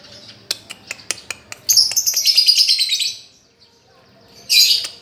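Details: Lovebird song used as a master recording to teach a lovebird that has stopped singing: a run of sharp ticking clicks gives way to a dense, shrill, buzzy chatter lasting over a second, a short pause, then one brief piercing burst.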